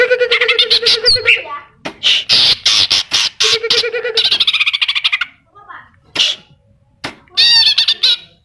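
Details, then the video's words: Greater green leafbird singing actively, its song filled with imitations of Kapas Tembak and Cililin calls: loud varied bursts of harsh squawks, rapid stuttering notes and steady low buzzy tones, broken by short pauses and a few sharp rising whistles near the end. "Cucak Ijo Gacor Full Isian Tembakan Kapas Tembak dan Cililin"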